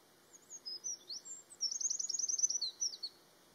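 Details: Eurasian wren (Troglodytes troglodytes), song.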